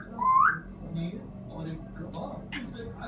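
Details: African grey parrot giving a short, clear whistle that rises quickly, followed by faint soft chatter and a low household hum.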